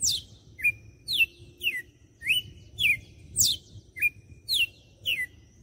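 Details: Red-cowled cardinal, Fortaleza, Ceará, delivering its açoite song, a rapid sequence of bright whistles alternating quick downward and upward slides about twice per second, with faint low rumble beneath.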